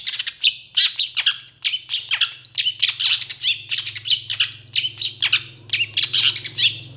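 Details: Energetic long-tailed shrike song, richly filled with mimicked phrases and responsive to rival shrikes, delivered as a dense, nonstop stream of harsh chirps, squeaky downslurred notes and rattles over a steady low hum.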